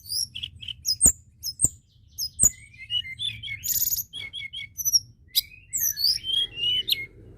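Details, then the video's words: Constantly singing white-browed shortwing, played to excite other birds into calling: high twittering phrases broken by three loud clicks, then a quick tumbling warble of whistled slurs, upsweeps and brief buzzes. "Tledekan gunung gacor!!! ampuh pancing emosi burung bahan"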